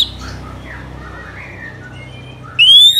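Orange-headed thrush: after faint, scattered chirps, a loud, clear whistle swoops upward and ends the phrase; quiet background hum throughout.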